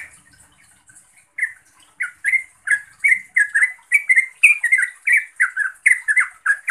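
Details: Yellow-vented bulbul, called trucukan, calling to a rival or companion; used to coax silent birds into singing. Short bubbly chirps, rising and falling, repeated in quick irregular succession, starting faint and growing louder.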